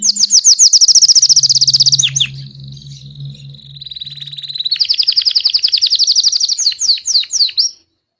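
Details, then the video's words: Belgian king canary singing nonstop: fast buzzy trills of repeated high notes, then a long steady whistled trill held for about two seconds, then rapid trilling again ending in sharp separate chirps; low hum beneath. "Canário belga rei cantando disparado/Belgian king canary singing shot"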